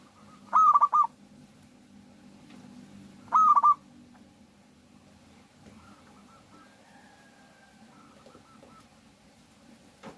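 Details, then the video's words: Local zebra dove, recorded as a lure for other doves: two quick phrases of clipped, repeated cooing notes close together early on, then a long quiet stretch with faint distant calls. "suara pikat burung Perkutut lokal gacor Jagonya Pancingan perkutut agar bunyi"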